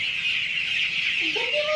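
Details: Nine-day-old broiler chickens in a crowded farm flock make a steady, high-pitched chorus of peeps. Near the end, one lower, rising call stands out.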